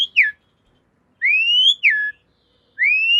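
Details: Javan pied starling, master song for cage birds: clear whistled phrases, each a long rising whistle followed by a quick falling slur, repeated after short silences.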